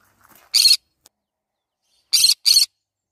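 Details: Green-cheeked conure giving one rough, buzzy screech followed after a pause by a rapid pair of identical harsh calls.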